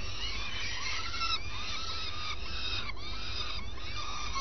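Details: Adult common swifts at their nest at first light during a changeover between the pair; soft arching, slurred notes that rise and fall, repeated every second or so, over a constant low hum.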